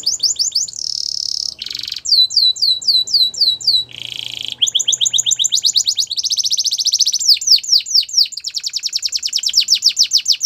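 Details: Russian canary singing a training song: fast repeated high tours in varied blocks, a rapid buzzy roll, a string of sweeping downslurred notes, then dense trills and rolls pulsing several times a second.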